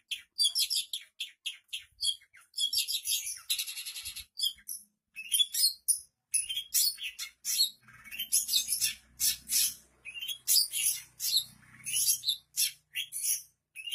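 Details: Shrike in full song imitating other birds' voices, a long medley of harsh chatters, buzzy rattles and sharp high chirps in quick bursts with brief gaps, plus faint low murmur in the background.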